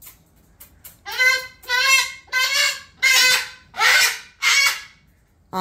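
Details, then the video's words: Indoor pet cockatoo screaming at night while refusing to get down for bed; a few soft notes lead into six loud, harsh, nasal screams about every half second. "This Cockatoo Refuses To Go To Bed And Throws The Biggest Tantrum"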